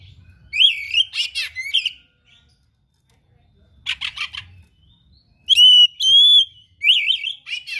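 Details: Oriental magpie-robin (kacer) in vigorous 'gacor' song full of 'isian' phrases, offered as rare tutor material: bursts of sweet whistled notes and harsh buzzy chatter, a quiet pause, then clear ringing whistles followed by more warbled phrases.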